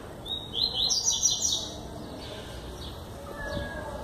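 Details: Yellow-bellied seedeater singing steadily, João Pessoa, Paraíba, Brazil, 21 September 2017: one high, rapid, sparkling phrase of quick stacked notes lasting about a second, followed by quiet background with faint distant calls.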